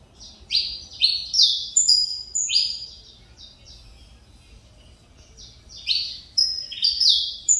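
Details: A captive Saffron Finch of the Mineirinho type, singing again after two years with damaged feathers, gives two rapid runs of harsh, sweeping chirps stepping up and down in pitch, separated by a pause of a few seconds.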